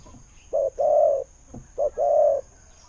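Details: Decoy spotted dove noted for its good voice. Two deep cooing phrases, each a short note and then a longer, even, hollow coo, about a second apart.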